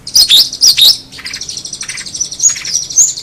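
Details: Long-tailed shrike giving a few bright, sweeping high whistles, then a thin, buzzy, scratchy warble that fades and returns in short bursts.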